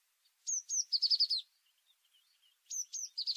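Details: A tit sings two high, sharp introductory notes and a fast buzzy trill, then a pause with faint soft notes before the same phrase begins again.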